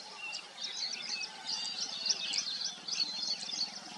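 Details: Weaver birds at their nests keep up a busy twittering of sharp chirps and scratchy trills from several birds at once, with a faint low hum beneath.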